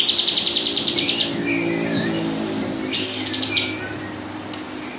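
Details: Spotted magpie-robin setting, with a kapas tembak singing nonstop for song mastering while fledglings are fed: a quick run of regular sharp high chirps, then high whistled notes and a brief burst near three seconds over a steady low hum.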